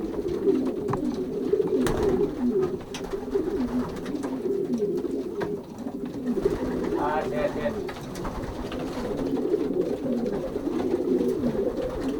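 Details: Racing pigeons in a young birds' loft during pairing, 2023 season, Pruszków branch, Poland; steady low coos from many birds, a man speaking briefly midway, plus occasional clicks and knocks.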